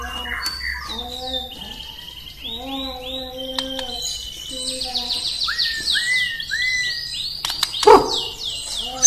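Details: Murai Batu, or White-rumped shama, from Indonesia, singing in the morning at moderate volume: low, repeated harmonic notes followed by clear, high, upward-swept whistles given in quick series.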